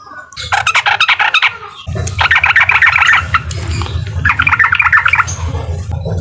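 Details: Yellow-vented bulbul singing in the uklik style, meant to provoke a rival: bursts of rapid choppy chattering notes, about four per second, broken by a short pause, over a steady low hum.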